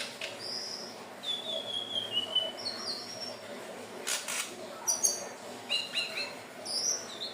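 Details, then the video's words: Hill blue flycatcher lure song: long, thin, high whistle sliding downward, followed by clusters of short, sharp high notes and faint clicks over steady hiss. "SUARA BURUNG TLEDEKAN BIRU/SIKATAN NINON/SELENDANG BIRU"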